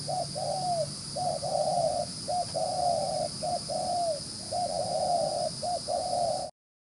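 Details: A field-caught spotted dove with a handsome spotted collar coos briskly, a rapid gù xiết series of short and drawn-out hollow notes, some dipping at the end, packed almost without pause against constant hiss and low hum.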